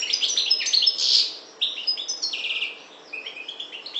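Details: European goldfinch of the parva form from the Maghreb singing: a rapid, jumbled run of bright, high twittering notes and buzzy trills, with a short pause midway before the tinkling phrases resume.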